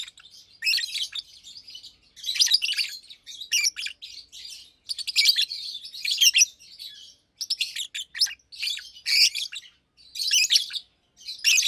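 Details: Two adult caged Fischer's lovebirds, one pastel green with orange face, one blue with white head, almost two years old, chirping by day: dense bursts of harsh, high chattering chirps with short pauses between phrases.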